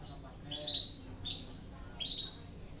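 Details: Canary in breeding condition, used as a lure to stimulate other canaries to join in singing; three short, bright, high warbled bursts, each with a quick rising onset, about one every 0.8 seconds over a faint low background hum.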